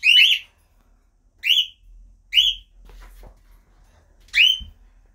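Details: Parakeets in a group giving harsh, upward-sweeping shrieks, four clear calls within five seconds, the first two quickly paired, then a pause with faint clicking before the last loud screech.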